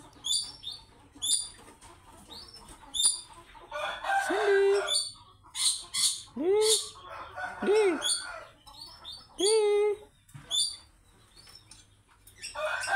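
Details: Sulphur-crested cockatoo of the triton form, giving harsh, broadband screeches alongside arched, nasal, strongly harmonic squawks repeated every second or two. Thin high chirps from small birds continue throughout.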